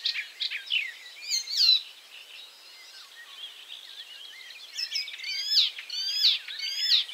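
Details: Icterine warbler singing while it forages for caterpillars. Rich scratchy phrases are followed by a quieter pause, then rising sweeping whistles repeated about once per half second.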